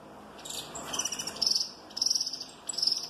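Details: Saffron finch, Peruvian type, giant mutation, delivers short bursts of very high, rapid trilled notes. Three quick crackling phrases come roughly every half second to a second against constant background noise.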